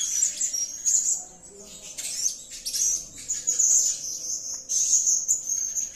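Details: Blue-crowned hanging parrot giving a sustained piercing trill, very high and thin, rising and falling slightly in loudness with short pauses and a few sharp ticks between phrases.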